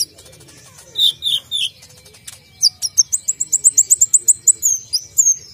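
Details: Kolibri ninja, the Brown-throated sunbird, giving a few high descending slurs, then a quick series of about fifteen sharp, evenly repeated high notes in a shooting fill. A faint steady tone is also present.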